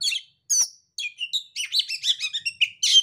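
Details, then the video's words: Lure song of an Oriental magpie-robin, meant to set a silent or stressed bird singing: harsh chirps and slurred whistles after short pauses, building into a dense, jumbled chatter of high notes. "pancingan kacer terampuh kacer macet, kacer setres langsung nyaut"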